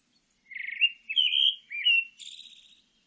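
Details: Pale thrush song phrase: a rapid buzzy trill, two rising whistled notes, a lower slurred whistle, then a high hissing trill, with a faint steady high tone throughout.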